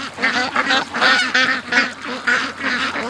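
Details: Morning release of domestic ducks from the pen, racing to the creek; loud, evenly spaced bursts of hoarse quacking, roughly three per second, from several birds together.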